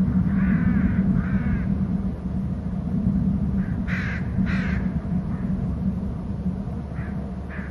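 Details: Eagles gathering at a nest on Hornby Island, picked up by a nest and territory camera: bursts of rapid, harsh, squeaky chittering notes in short series, over a constant low rumbling hum.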